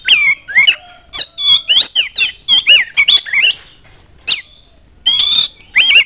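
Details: An oriental magpie-robin sings a lure song for other birds: fast, continuous bursts of looping whistles and squeaky, scratchy notes, one sharp upward whistle after a pause, then a longer buzzy warble.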